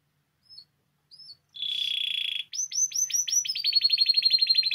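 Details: Spanish timbrado canary song for training: two faint short notes, a smooth steady whistled tone for about a second, then a quick series of upswept notes merging into a fast rolling trill.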